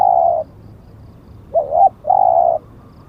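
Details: Zebra dove song: three low coo notes, a steady hum, then a short wavering double note, then another sustained coo, clean with little background.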